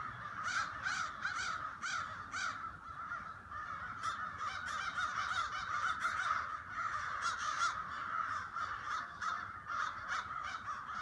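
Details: Crows in a late-autumn flock, many harsh caws overlapping in a steady noisy chorus, with bursts of louder calls standing out now and then.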